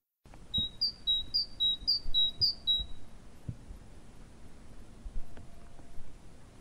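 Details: Great tit (Parus major) singing its repetitive, hammering two-note 'cha-pim' song, repeated quickly five times over about three seconds, then a faint low rumble.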